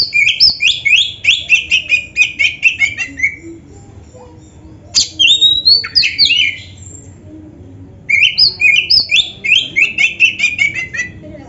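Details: Oriental magpie-robin in lively gacor song with rich isian filler, used as a master recording for training: fast runs of sharp, repeated chirps sliding downward in bursts, with a pause of two seconds and twisting whistles between phrases.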